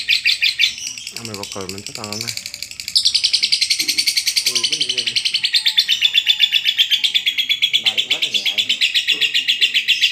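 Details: Lovebird in long ngekek chatter, as training audio for reluctant singers: a relentless fast trill of shrill chirps that grows louder after a few seconds, with short human speech early on and again near the end.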